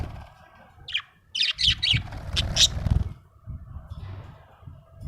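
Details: Happy budgerigar giving a handful of quick, sharp chirps and squeaky chatter over a steady low background rumble and some murmuring noise.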